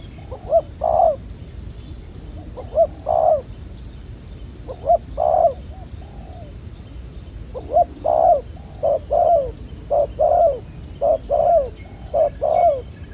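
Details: Wild-caught spotted dove with a dark spotted neck collar, noted as a good cooer, heard during ground-bait trapping: short soft hooting coos in clusters of two or three, quickening toward the end, against low steady background noise.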